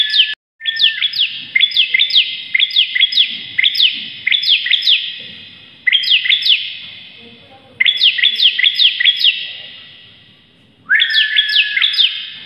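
Bar-winged prinia singing loud, rapid bursts of sharp, high chipping notes in a fast, sloppy rhythm, pausing briefly between long runs of song.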